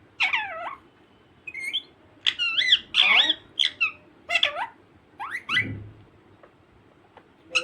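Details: Alexandrine parakeet, described as naughty, calling indoors in a small room: shrill squawks and screechy whistles in uneven bursts, some sliding up or down, with a person's voice and a muffled thump in the background.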